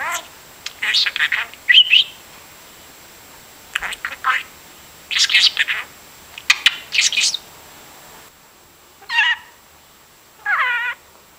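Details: Budgerigar kept as a pet chattering like a broken record, with scattered bursts of scratchy warbles, some quieter, ending in two separate wavering calls.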